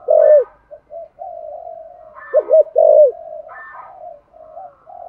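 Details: Low 'giọng thổ' style cooing of a spotted dove, meant to prompt other doves to answer: a strong opening coo, then a quick double coo and a long hollow note around three seconds, over quieter steady cooing throughout.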